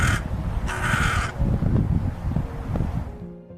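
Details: Hooded crow, UK, giving one of its most common calls, two harsh, grating caws, a short one then a longer drawn-out one, over steady background music.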